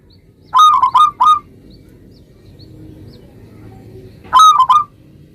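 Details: Local zebra dove in lively 'gacor' song, used to make other zebra doves answer at once: two short bursts of three quick, mellow, rolling coo notes separated by about three seconds of quiet, with faint low background hum.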